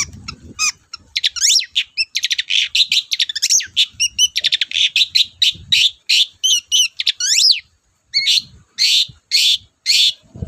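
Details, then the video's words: Vigorous long-tailed shrike song as a lure to trigger other shrikes: long, almost nonstop stream of rapid trills, sweeping whistles and harsh rattling phrases, with one short silent gap near the end. "BURUNG CENDET GACOR DORR, BIANGNYA PANCINGAN CENDET LOYO"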